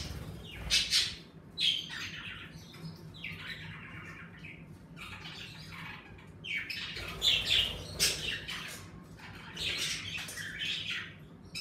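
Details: Several pet budgerigars in an indoor bird room, active as the season warms, chatter with scratchy squawks and sharp chirps in clustered bursts, quiet stretches between noisy flurries.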